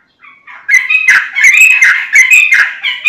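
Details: Energetic yellow-vented bulbul song as a lure for other bulbuls: a quiet lead-in swells into a steady, loud stream of bubbly, chattering warbled notes running to the end.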